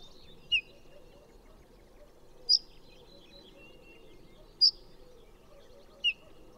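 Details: Ortolan bunting giving four short, high calls roughly every two seconds, alternating between different call types over a low steady hum; these are daytime calls, and the alternation is typical of the species.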